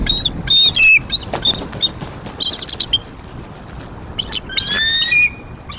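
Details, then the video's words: Bald eagles at the Decorah nest, 16-17 April 2023, calling while prey arrives and an immature eagle is escorted away: scattered loud shrill chirps and chatters, a quieter middle stretch, then another squealing burst. "Vocals For Every Occasion / The Young Intruder"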